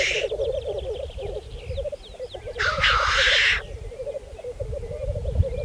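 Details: Lekking black grouse in spring 2014 on Saaremaa, Estonia, give a dense, unbroken bubbling chorus, with one loud, long hiss about midway and faint low rumbles.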